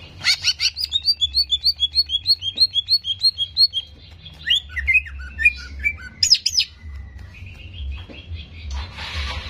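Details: Cucak ijo, the greater green leafbird, in a fast provoking recording meant to stir its fighting emotion: a rapid run of about twenty sharp repeated chip notes, then varied swooping whistles and a long thin tone, above a low background hum.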